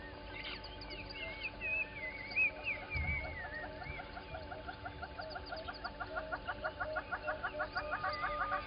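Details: Little grebes on Gowrie dam, a waterhole in Djuma Game Reserve, Sabi Sand Wildtuin, South Africa, on 10/08/20; after sliding whistles from another bird, a quickening, rhythmic trill of pulsed notes builds through the second half.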